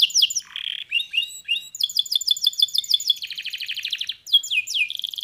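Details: Singing canary delivering changing phrases: quick sliding whistles, a run of repeated double notes, then a dense buzzy trill and final descending sweeps, all high and bright without background noise.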